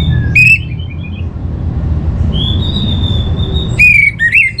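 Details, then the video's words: Orange-headed thrush used as a singing lure: short chirpy whistles, a long thin sustained whistle, then a burst of sharp, bright notes, all over low rumbling noise. "Trbaik Buat Pancingan Burung ANIS MERAH Agar Gacor"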